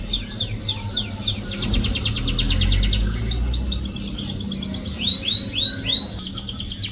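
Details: A canary sings to coax a reluctant canary into song. Brisk high trills change speed and pitch between phrases, ending in looping upslurred whistles over faint low background noise.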